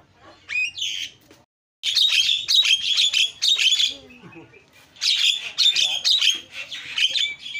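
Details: Javan myna calling, used as a lure to make other mynas call: a harsh note, a short silence, then long bouts of grating, chattering screeches with a softer mumbling stretch between.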